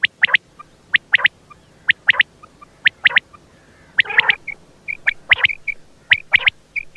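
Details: Batair (quail) calling in sharp, clipped triplets repeated about once a second, with one rougher burst midway and short tonal chirps near the end.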